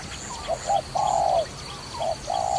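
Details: Brief bursts of dove cooing heard during trapping. Short clipped notes lead into a drawn-out low coo, then the pattern starts again. Faint thin calls come from other birds above.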